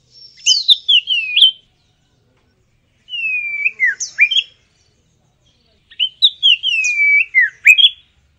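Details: Oriental magpie-robin singing in lively, chattering style: three bursts of clear whistled phrases, each opening high then sliding down into a drawn-out falling whistle, separated by pauses of about one and a half seconds.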